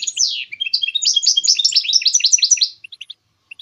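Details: Goldfinch mule warbling to motivate songbirds: a nearly three-second tumbling sequence of fast, twittering and buzzy notes, followed by a few isolated high chips.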